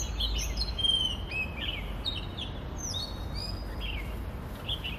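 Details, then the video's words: Hong Kong Oriental magpie-robin song recorded with a phone voice recorder; sweet whistled phrases, some sliding upward, others steady, delivered in a lively varied sequence over a low background hum. "Song of Oriental magpie-robin (Copsychus saularis)"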